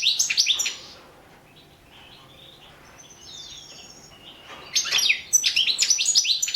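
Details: European goldfinch singing in a world championship entry: a short twittering burst, several seconds of soft, faint notes, then a loud, rapid stream of high chirps and slides.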